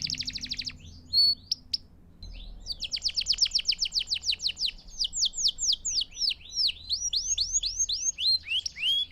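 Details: Canary song used for training young birds: a short fast trill, a pause, then a long rapid series of falling whistles slowing into separate looping slurred notes, ending with a brief trill.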